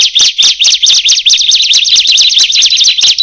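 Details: Bar-winged prinia whose calling set others off; shrill, rapid chirps falling in pitch, about two per second, close and loud.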